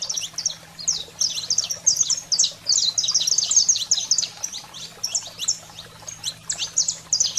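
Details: Saffron finch 'fogo selvagem' song to fire up pet canaries: quick, high, chattering chirps, roughly two notes per second in loose clusters, irregular spacing, a faint low hum underneath.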